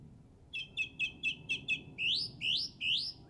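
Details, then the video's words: Bird song from a local golf course in England on Easter Saturday 2007, with six rapid repeated short notes, then three rising, sliding whistles. "Bird Song From Jolly Old England"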